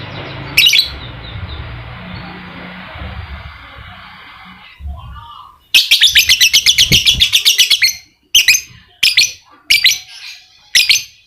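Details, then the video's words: Lovebird singing ngekek, a lure meant to make a lazy lovebird sing actively: after a low noisy hum, a burst of rapid high chattering pulses lasting about two seconds, followed by four short separate chattering bursts. "Pancingan Lovebird malas bunyi, agar aktif Ngekek"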